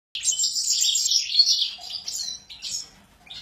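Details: Excited Sura singing a rapid, high warbling stream of chirps and trills, dense for about two seconds, then broken into shorter bursts with a brief low note.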